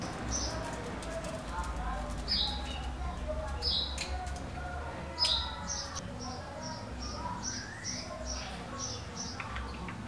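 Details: Bewick's wren nesting in a wooden birdhouse in a garden in the northern part of Ciudad Nezahualcóyotl, State of Mexico: short high chirps repeated in quick series over a steady low hum of background noise.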